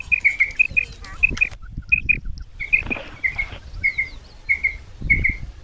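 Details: Female common quail calls used as a hunting lure in Punjab, Pakistan: short high paired chirps repeated about every half second, with pauses between bursts, over rustling and outdoor noise.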